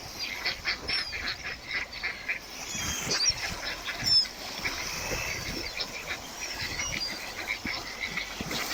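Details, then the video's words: Ducks produce a busy run of short nasal calls, uneven in rhythm, with a few thin high squeaks mixed in. "Ducks with Natural Sound."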